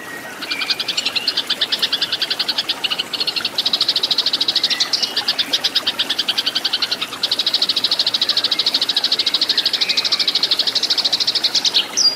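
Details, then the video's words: Eurasian tree sparrow fighting song, a tutor recording for training cage birds: rapid, bright chirps repeated about three times a second, almost unbroken for twelve seconds, with brief pauses and a faint lower chirp line beneath. "MASTERAN BURUNG GEREJA TARUNG SUARA SUPER EFEKTIF GACOR KERAS JERNIH"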